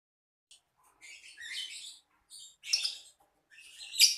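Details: Lovebird giving short bursts of high, squeaky, scratchy chirps in irregular clusters, with brief silent gaps between phrases.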